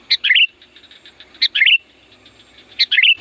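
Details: Loud Sooty-headed bulbul calling song for luring wild bulbuls, three lively, warbled bursts roughly every 1.3 seconds, each opening with a sharp note then a tumbling chirpy flourish; faint ticking and a high steady tone behind.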